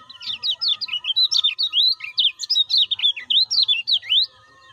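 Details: Lemon-bellied white-eye in captivity, its call used as a lure for new or silent birds. An unbroken, energetic stream of loud, high, zigzagging chirps, many per second, runs for over four seconds, with a faint tonal hum underneath.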